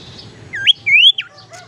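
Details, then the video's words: Tailorbird lure sound for trapping or stimulating a bird that will not sing: a few clear, loud whistled notes, a sharp upslur followed by a longer rising slur and a falling note, with faint chirps behind. "suara pancingan sirtu teras"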